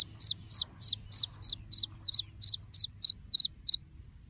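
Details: Young black francolin calling in a run of about thirteen crisp, high-pitched cheeps at an even pace, each note brief and slightly downslurred, over quiet low background hum.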